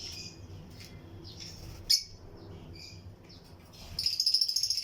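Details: Lutino lovebirds, breeding pairs in a colony flight cage among other birds: shrill, high chirps, a loud sharp squeak partway through, then a quick run of about ten rapid, scratchy chirps at the end.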